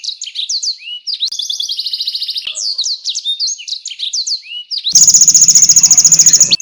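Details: Canary singing competition tutor song with konin and blackthroat bursts: quick high twisting chirps, a short fast buzzy trill, more looping chirps, then a loud harsh rapid rattle to the end.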